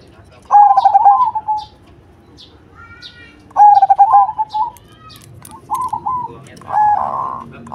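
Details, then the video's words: Cemani-type zebra dove singing with a strong voice: two stuttering coo phrases with rolling endings, spaced a few seconds apart, then two shorter coos, mixed with scattered high chirps from other birds. "Perkutut Cemani Gacor Suara BESAR"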